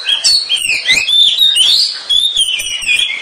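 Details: Oriental magpie-robin (kacer) singing in ngeriwik style for bird training, a loud, rapid run of clear whistles and chirps sliding up and down, packed with short twittering notes and no pauses.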